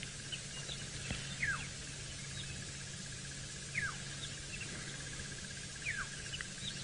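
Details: Black-headed Oriole calling loudly in the background during a sunrise safari drive around 5 AM on January 12, 2018, in a South African reserve near a lone feeding elephant bull; short, liquid, downslurred whistles about every two seconds, over insect drone and engine rumble.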